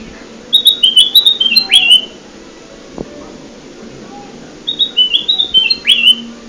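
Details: Bulbul (kutilang emas) lure sound used for trapping birds: two bright phrases of short high whistled notes, each ending in a sharp rising-then-falling slur, separated by a pause of about two seconds, over a low hum.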